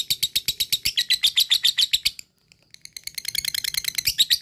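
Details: Quick, sharp repeated chirps of a lovebird's ngekek, used to excite other lovebirds, chatter for two seconds, pause, then restart softly and build back into a fast trill.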